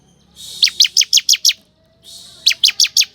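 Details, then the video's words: Ciblek kristal lure song: two bursts of six sharp, buzzy descending chirps, each preceded by a brief hiss-like rise, with a pause between. "Pancingan Ciblek Kristal Gacor, Pemanggil Burung Ciblek Hutan Agar Langsung Respon"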